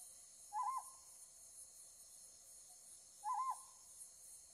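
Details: A Ryukyu scops owl, calling though a light is shone on it, gives two short, hoarse, wavering hoots about three seconds apart, with a steady high insect hiss behind.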